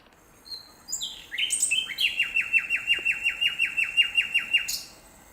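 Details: Common nightingale singing in nature: a few clear whistled and slurred notes open the phrase, followed by a fast run of about fifteen identical sharp, downslurred notes, then a final high note. The background is quiet.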